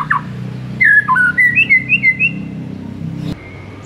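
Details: White-rumped shama master song meant to stir a silent bird into singing: a series of clear whistled notes rising and falling around the middle range, several quick repeated phrases, over a low steady hum.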